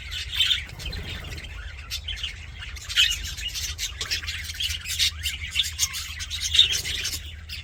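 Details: Budgies in a happy mood: bursts of scratchy warbling and bright chirps, louder flurries around the start and middle, with a low constant hum behind.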